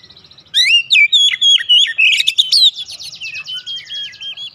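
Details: Lure song of an Oriental magpie-robin (kacer), used to provoke replies: after a quiet start, loud whistled slurs give way to a rapid buzzy rattling trill and steady wavering whistles.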